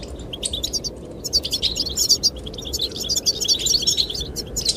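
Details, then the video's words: Goldfinch song given to attract the female, building from scattered chirps into a busy run of tinkling twitters and trills, accompanied by a soft, steady wind. "the chirping of goldfinches"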